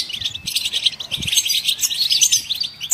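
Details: Goldfinch singing to set off other songbirds: a thick, busy chatter of high chirps and buzzy twitters that rises and falls in loudness.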